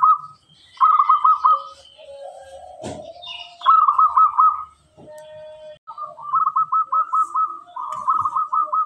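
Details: Local zebra dove singing strongly and clearly, used to prompt other birds: repeated phrases of rapid, bubbling coo notes, each lasting under a second, with a short clatter between phrases.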